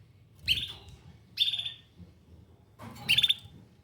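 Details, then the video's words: Canary repeating three short, bright, high chirps at uneven gaps over a few seconds, with light low rustling beneath. "Canary Singing"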